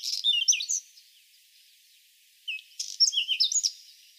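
A whinchat sings two short, quick phrases of mixed scratchy notes and clear whistles, separated by a pause of about a second and a half.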